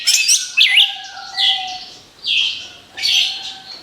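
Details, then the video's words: Orange-headed thrush song meant to draw in other birds: a twittering start, then loud buzzy slurred phrases repeated about once a second, with a soft steady whistle under them. "SUARA ANIS KEMBANG BUAT PANCINGAN MAUT"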